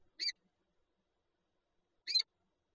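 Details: At an egg-holding peregrine falcon nest in Lublin, Poland, 19 March 2022, two brief scratchy calls sound about two seconds apart, with silence between.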